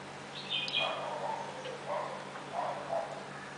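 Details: A Red-whiskered bulbul visiting a garden bird-bath in Mysore in the late afternoon or early evening gives a thin high note, then three short, liquid, warbling mid-pitched phrases about a second apart over a steady background hiss.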